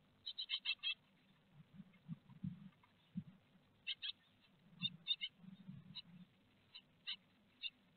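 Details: Great tits in a nest box at Théding, France, 4 May 2021, during a peanut feed: scattered high, clipped notes, a quick cluster first and then single spaced notes, with heavy low shuffling and scraping of movement in the box.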